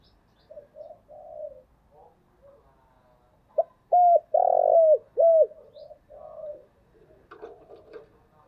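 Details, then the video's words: Lure call of a spotted dove running through urging, cooing and crowing phrases: soft gurgled notes build into four strong hooked coos in quick succession, then fade into quieter murmurs with a few faint clicks. "Chim cu gáy chơi đủ bài thúc gù gáy gọi"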